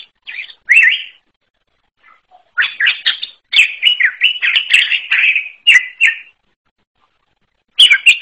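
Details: Greater green leafbird from the forest giving an unusual song: bursts of rapid, varied chirps and slurred notes with sharp high ticks, separated by short pauses.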